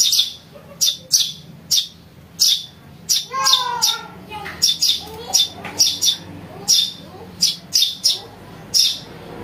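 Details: Lure recording of a house sparrow chick: a steady string of harsh, high chirps, some in quick pairs, with faint lower harmonic rising and falling notes near the middle.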